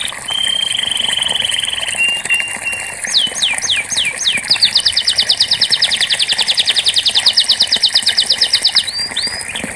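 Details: Canary singing for a bird that has stopped singing: a long level buzzy trill, a lower steady tone, several looping down-swept whistles, then a long rapid rattling trill of many fast notes ending in two short slurred whistles.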